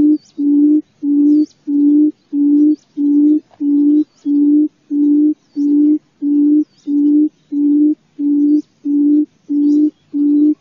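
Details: Long run of quail calls: deep, flat, tonal hoots repeated at a very regular pace, about one and a half per second, with scattered faint high bird chirps in the background.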